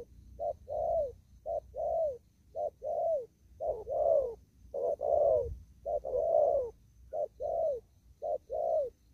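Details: A spotted dove out in a farm field delivers 'đồng thúc gù' cooing. Paired hollow coos, a brief note then a drawn-out falling one, repeat steadily about eight times, each roughly a second apart, over a low murmur.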